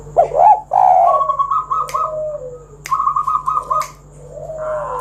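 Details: Spotted dove singing as a lure to draw other doves into song: soft cooing notes, then quick stuttering trilled coos in short bursts, repeated about every second, with a few sharp clicks and a faint steady hum.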